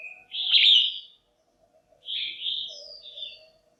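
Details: Female red-whiskered bulbul giving a loud, clear, harsh buzzing call to attract males or for pairing: two rasping bursts about a second and a half apart, with a faint low tone beneath.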